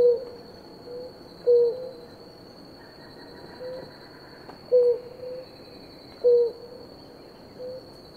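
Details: Two blue ground doves at water, drinking, with soft low hooting notes repeated at uneven intervals, some louder and some fainter, against a steady high-pitched hum and a brief faint buzzy sound midway.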